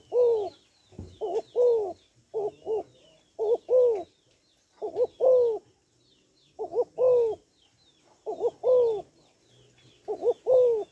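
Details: Calling female spotted dove stimulating males, giving repeated low coo phrases of a brief doubled note and a longer falling hoot, roughly every 1.5 seconds; other small birds twitter faintly at higher pitch.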